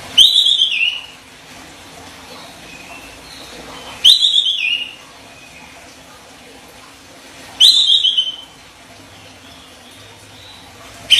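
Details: Training master of an olive-winged bulbul (kapas tembak) in sharp tight style: clipped high warbled phrases falling at the end, repeated about every three and a half seconds, a fourth phrase starting at the close, steady low hiss.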